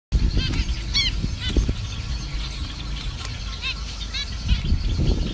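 Zebra finches give short, nasal, toy-trumpet calls, repeated at uneven intervals over a low rumble.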